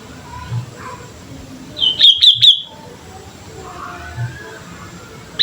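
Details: Lure recording of a lively sooty-headed bulbul: a single quick phrase of three to four bright chirps midway, then near-silence with low hum and one faint note at the very end.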